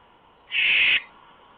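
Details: Owl on a lookout perch just before 1 a.m. on July 8, 2015, giving a single harsh, hissing screech lasting about half a second.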